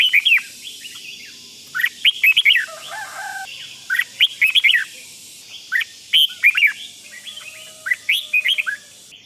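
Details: A red-whiskered bulbul sings 'rik' style to rouse other bulbuls, pouring out bubbly, slurred whistled phrases in frequent short bursts against a light background hiss.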